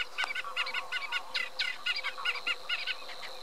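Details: Eurasian reed warbler singing: rapid chattering phrases of short, scratchy notes repeated several times a second, with a faint steady high hiss behind.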